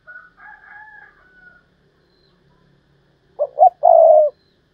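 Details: A higher, wavering bird call sounds first, then a decoy spotted dove answers with one thúc lợi cốt coo: two clipped notes and a long sustained note.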